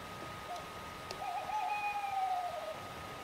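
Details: Tawny owl heard through an open window after dark gives a brief soft note, then a long, wavering, mid-pitched hoot lasting about a second and a half, over a faint steady hum.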